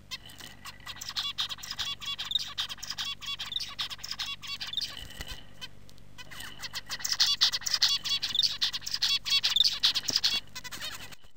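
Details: Male zebra finch song: a rapid series of buzzy, nasal notes and sharp chirps, repeated in two bursts of phrases, high-pitched and dense.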